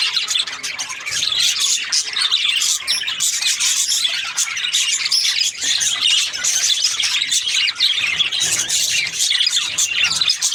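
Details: Chattering budgerigars: thick, continuous mix of high squeaks, warbles and rapid chirps from several birds, without any break.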